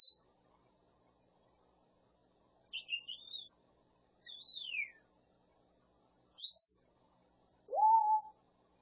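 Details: Pet grey parrot, a mimic of speech and hammering, producing varied whistles: a brief high note, a wavering whistle, a long downward-sliding whistle, a short high chirp, then a lower rising-then-level whistled tone.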